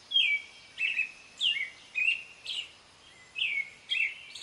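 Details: Clear American robin song: loud whistled phrases, each gliding down, repeated about every half second with one brief gap, little other sound.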